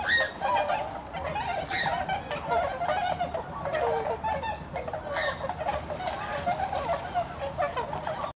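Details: Wintering flock of about 70 tundra swans (Bewick's subspecies, Cygnus columbianus bewickii) on the Kiso River, Aichi prefecture, Japan, winter 2014; dense, continuous chorus of overlapping nasal, honking calls from many birds, with no pauses throughout.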